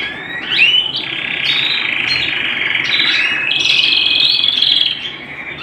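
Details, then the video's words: Canary singing at home with an unbroken, rich rolling trill that shifts pitch in steps, opened and closed by a few sharp upward-swept notes. "canary bird - canary singing - canary sounds - canary singing at home"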